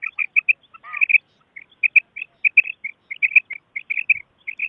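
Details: Common quail calls recorded for hunting: bright, sharp, high notes in quick clusters of two or three, repeated throughout with brief gaps and one lower wavering note near the start.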